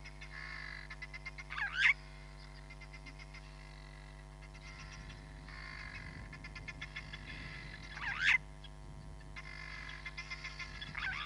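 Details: Hamerkop at Nkorho Bush Lodge on a live camera feed, 31 July 2021, giving three abrupt swooping squawks spaced several seconds apart against a continuous rapid trilling frog chorus and low background rumble.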